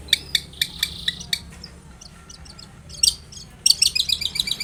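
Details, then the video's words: Long-tailed shrike in lively full song, played to prompt other shrikes to answer: bursts of sharp high chirps and trilled notes, a buzzy sustained phrase early on, then a quick run of clipped notes after a pause. "SUARA cendet gacor INI AMPUH untuk pancingan agar cendet bunyi JADIKAN burung cendet NYAUT SEKETIKA."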